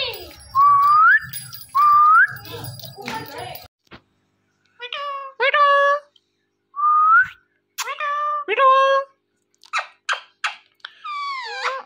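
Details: Two upward-sliding whistles from an Indian ringneck parrot over background chatter, then a quiet gap and a string of short nasal speech-like syllables, another rising whistle and wavering mimicked words.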